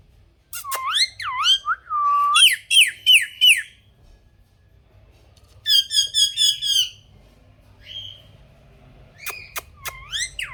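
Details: Pet parrot calling with slurred whistles and a run of rasping squawks, then a fast chattering series of screeches, with sharp clicks near the end.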